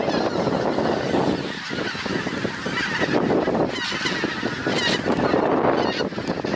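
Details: A huge flock of geese coming down onto pastureland, heard as a loud wall of overlapping honks above a heavy, low whooshing of wings or wind.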